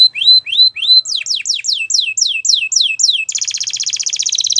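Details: Gloster canary singing: looping whistled phrases, then a quick series of falling slurred notes, ending in a loud, rapid, bubbling trill.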